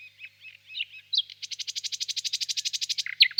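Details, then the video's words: Spring evening birch grove, nightingale song: soft varied notes give way to a long, rhythmic series of about twenty repeated pulses, closed by two sharp high whistles. "Пение соловья"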